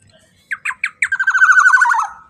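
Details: Lure song of a golden black-naped oriole: four staccato nasal notes, each louder, break into a rapid grating rattle that swells and then fades downward over about a second.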